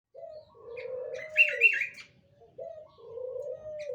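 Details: Spotted dove calling as a lure to attract other doves: soft, low cooing phrases, a short coo then a longer drawn-out one, repeated, with faint higher chirps from another bird.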